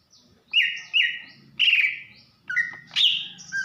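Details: Calling female greater green leafbird from Banyuwangi, used to raise a male's breeding urge: long, bright whistles, some slightly descending, in quick succession, over a faint low hum.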